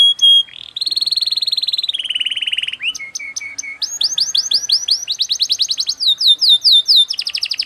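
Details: Singing canary in a quick cengkok style, changing phrases every second or so: a steady buzzy trill, a lower run of short notes, then rising and falling whistled sweeps repeated in fast series.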